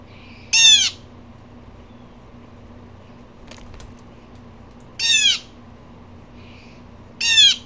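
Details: An upset blue jay gives three harsh, rasping, downslurred calls spaced several seconds apart, each short and rich in harmonics, with faint clicks and a low steady hum between them.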